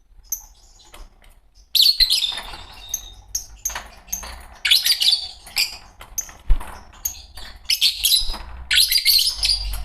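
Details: Pair of green Fischer's lovebirds chattering and chirping almost without pause, a busy stream of shrill squeaks and scratchy twitters with faint bumps and rustles behind them.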